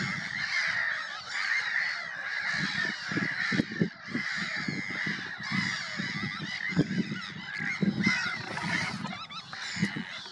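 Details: Sandwich terns recorded at Påarp, Halmstad, Sweden, on 9 July 2024 give harsh, grating, rasping calls that overlap in a constant noisy chorus, as in a busy colony.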